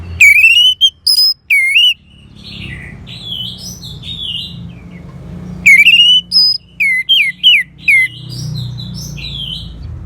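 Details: Orange-headed thrush song offered to stimulate caged birds: loud ringing whistles with bright overtones open, a softer warbling twitter fills the middle, then another series of loud whistled, slurred notes returns.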